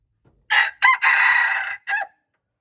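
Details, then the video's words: Loud, close red junglefowl crow, recorded March 2, 2025: two short rasping notes, a long harsh steady note, then a short falling final note, in otherwise quiet surroundings. "red jungle fowl, qaib qus qaib dib txuam txoov"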